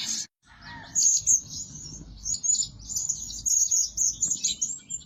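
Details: Lure-bird Blue-crowned hanging parrot, kept to call day and night, giving a near-continuous stream of sharp, high, twittering chirps after a brief opening squeak, over a soft low rumble.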